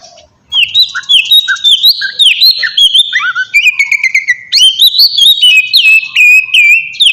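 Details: Oriental magpie-robin song used as a lure to provoke other birds into answering: loud, varied whistled phrases with rapid chirps and slurred notes, rising and falling, delivered in quick succession, with no other clear sounds.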